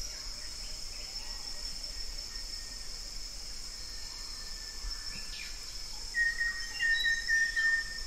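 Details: Banded yellow robin (olive yellow robin) whistling near the end: a clear, level, slightly wavering high note lasting two seconds, with a constant shrill insect hum in the background.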